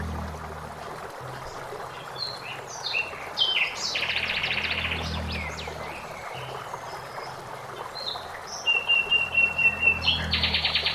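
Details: Common blackbird (Turdus merula) sings varied, high warbled phrases ending in a quick run of repeated bright notes, over a steady rush of flowing water in a forest.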